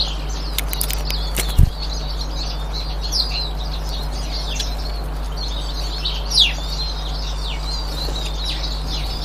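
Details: Eurasian siskins, recorded 18 March 2024: busy high twittering with a few clear down-slurred whistles standing out, over a constant low droning hum and a couple of brief clicks and thumps.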